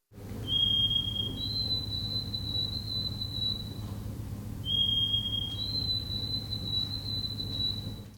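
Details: White-throated Sparrow giving the classic "Old Sam Peabody, Canada, Canada" song, twice: clear pure whistles, each a short lower note stepping up to a long steady higher one, over a low hum.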